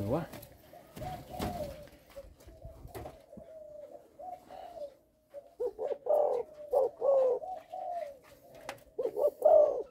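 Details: Caged Malaysian-line spotted dove giving a coo that stutters on the first three notes. Soft background hum gives way to a string of low, hollow coo notes clustered in the latter half.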